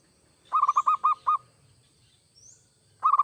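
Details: Zebra dove, local or Bangkok type, singing to prompt other doves: a quick burst of about seven soft, rounded coos, then a pause, then another stuttering phrase starting at the end; a faint high whistle passes in between.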